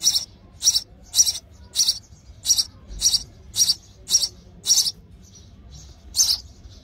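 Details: House sparrow at a nest being built inside a house, with sparrows fighting over the nest; sharp, bright chirps repeated about twice a second, ten in a steady run, a short gap, then one more chirp, over quiet background.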